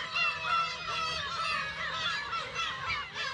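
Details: Black-tailed gulls calling at the Kabushima breeding colony, Aomori Prefecture, Japan, on 10 June 2020 with chicks present: a thick blend of mewing, quavering calls with a few clearer drawn-out notes standing out.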